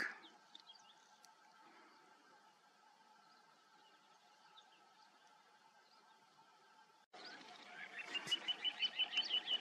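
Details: A little ringed plover on the Cheptsa river bank, warm sunny morning, 10 May, about 7:30, gives a quick series of short, high piping notes, about three a second, near the end after a quiet stretch of faint background noise.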